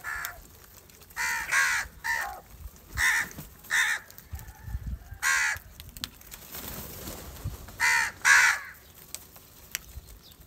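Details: House crows (Corvus splendens), angry and fighting over rice, give harsh, nasal caws, about ten, singly and in quick pairs, with brief pauses between bursts; faint background noise.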